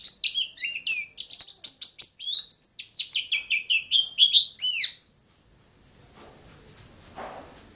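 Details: Long-tailed shrike from Bobotsari pouring out about five seconds of rapid, high chattering song of repeated sharp upslurred notes, followed by quiet background hiss with no birdsong.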